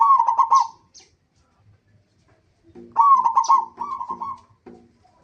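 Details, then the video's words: Lively local zebra dove heard as a lure to set other zebra doves singing: two runs of rapid, mid-pitched stuttering coos, the second joined by lower grunting notes in a quick pulsed rhythm. "pancingan perkutut lokal gacor AMPUH pandai BIKIN semua BURUNG PERKUTUT GACOR RAJIN BUNYI"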